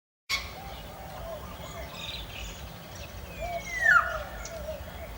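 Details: An African grey parrot, recorded 31 December 2017, gives a single clear whistle that slides downward near the end, over a steady hiss of background noise.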